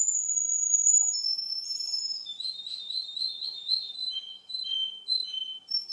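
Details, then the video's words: Male Russian canary whistling a high drawn-out tone, then a fast run of rolling repeated notes and several spaced, clear, descending whistled syllables. "RUSSIAN CANARY-РУССКАЯ КАНАРЕЙКА"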